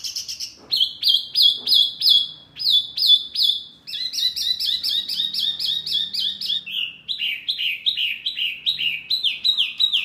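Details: A very noisy mini wambi bird, said to get other birds worked up, rattles off quick high whistled notes, first evenly spaced, then a denser buzzy burst, then descending slurred whistles.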